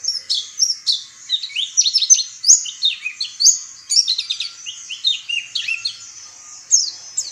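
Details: Oriental white-eye giving a lively run of very high, thin chirps and short down-slurred whistles, bunched into quick twittering bursts with brief pauses, in a clean, quiet setting.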